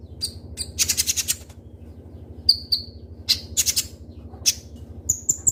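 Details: Singing kolibri ninja (Konin) sunbird in rich, sharp song used as a lure: high piercing chirps, short buzzy rattling bursts, then thin whistled notes repeated roughly every half second, above a steady low hum.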